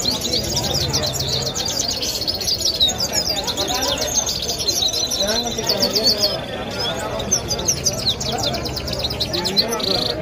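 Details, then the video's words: European goldfinch singing in Kabul, Afghanistan: dense, rapid twittering of high, tinkling notes running almost without pause through the whole stretch, over steady background chatter of people talking and street noise. "Goldfinch Singing Cute |سایره سهره خواندني سهره خوش اوازKabul Afghanistan Goldfinch Birds Singing"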